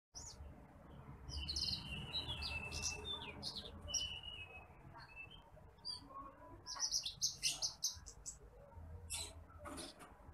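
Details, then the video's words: Bush lark, a rice-field bird, recorded as a training song for other birds: high, thin chirps and short buzzy trills in scattered bursts, some drawn-out notes, over a low steady rumble. "MASTERAN BURUNG BRANJANGAN APUNG (TITIMPLIK)"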